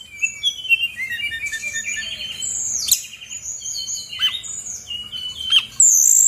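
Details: Brown-chested jungle flycatcher, a female from Bali, singing continuously to provoke reluctant birds into reply; a warbling stream of mid-high whistles, with a few steeply dropping notes and a loud sustained high ending.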